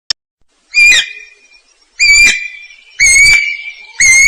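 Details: Guira cuckoo song: loud, clear whistled notes with strong overtones, each sliding slightly and trailing off, repeated about once a second in a steady series.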